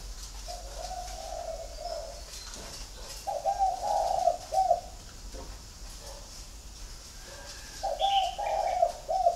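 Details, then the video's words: Flock of spotted doves at a bird garden in Ba Vì, Hanoi, Vietnam, repeating a low, gently bubbling three-part coo three times at intervals of about three seconds, with faint chirps in the background. "Nhà chẳng có gì ngoài đàn CHIM CU GAY"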